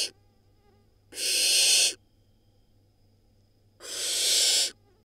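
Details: Barn owl nestling, nest in Israel, hatched May 2022, swallowing a rodent: a clipped hiss, then two full rasping, breathy hisses of almost a second each, spaced about three seconds apart in quiet surroundings.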